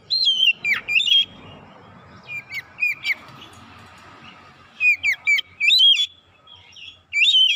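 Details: Energetic oriental magpie-robin lure song for provoking birds: repeated clusters of loud, twisting whistles with steep downward slurs, separated by quieter gaps, the phrases returning near five and seven seconds.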